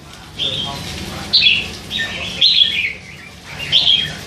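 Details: Young hand-fed red-whiskered bulbul, three months old, caged, letting slip song phrases amid all-day chatter; four clear bright whistled phrases, each about half a second, spaced roughly a second apart.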